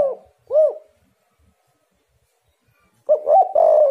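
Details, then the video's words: Spotted dove cooing as a lure to draw answers from other doves: a single short arched coo, a long silence, then a burst of soft rolling coos ending in a steady drawn-out note. "derkuku super gacor bikin lawan langsung nyaut"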